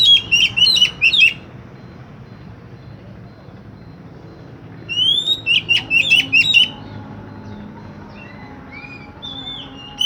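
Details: Oriental magpie-robin song, played to coax a silent magpie-robin into singing: two loud bursts of rapid, varied whistles and chattering notes with a quiet gap between them, over a constant low background hum.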